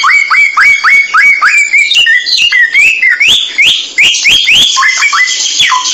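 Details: Samyong bird song for training cage birds. A steady train of short, sharply rising whistles, about three to four a second, shifts into higher, looping whistled phrases.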